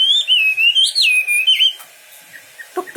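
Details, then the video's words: Wambi bird whistles a bright rolling warble for about two seconds, followed by faint chirps and a couple of clicks. "Burung wambi istimewa gacor full"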